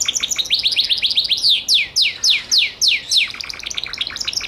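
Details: Gloster canary singing, a rapid run of high downward-sweeping notes that slows into louder, separate swooping notes repeated about every third of a second, then fades into softer quick chatter.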